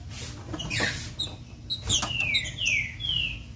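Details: Song of a female green-winged saltator used to stir a male into singing: scattered clicks and short chips, then three long, smoothly falling whistled slurs near the end.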